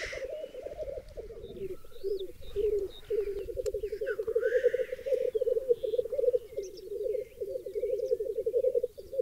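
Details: Lekking black grouse on a raised bog in Berezinsky Biosphere Reserve, with up to 30 cocks and 20 hens: an unbroken, rolling low bubbling chorus runs throughout, with faint higher chirps from other birds above it.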